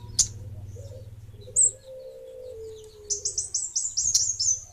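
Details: Kemade bunga api singing: a high rapid run of repeated sharp descending notes near the end, with scattered high chips, a low sliding whistle and a steady low hum beneath.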